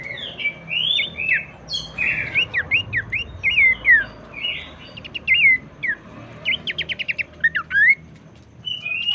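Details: Abbott's babbler song played to get other babblers singing. Varied whistled slurs are interspersed with quick trills, alternating with quieter gaps. Low background hum throughout.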